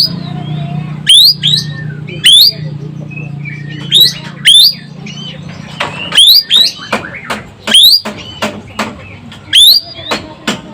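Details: Asian glossy starling from Sumatra, singing energetically: piercing rising whistles, each a sharp upward sweep, given singly or in quick pairs about every one to two seconds over a low droning background.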